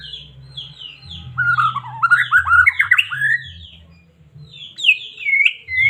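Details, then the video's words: Singing white-rumped shama of Medan, used to excite caged birds: high short whistles, then a loud rhythmic series of looping rising notes for two seconds, a pause and a final bright whistled phrase. "Murai batu cocok buat pancingan burung anda"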